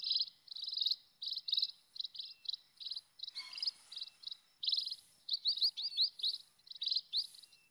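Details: Wild scaly-breasted munia: a steady run of short, buzzy chip notes, then livelier rising whistled slurs toward the end, with a brief soft rustle in the middle.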